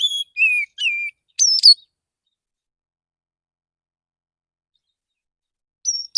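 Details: Morning song of a male Oriental magpie-robin, relaxed in tone and calling to other magpie-robins: clear whistles slurring downward, a sharp chirped pair, then silence before one more high note.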